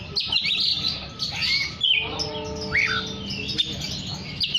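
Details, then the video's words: Oriental magpie-robin singing to call other magpie-robins: high rapid twittering and whistles with an upward-swept note, accompanied by a low steady tonal drone and background hum. "Terapi Suara kacer gacor untuk memanggil kacer lain dijamin langsung ikut bunyi"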